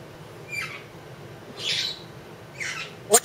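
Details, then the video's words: Pet Congo African grey parrot, a two-year-old female, calling indoors as her owner talks to her: three hoarse, breathy squawks spaced about a second apart. "Are you a Pretty Bird?"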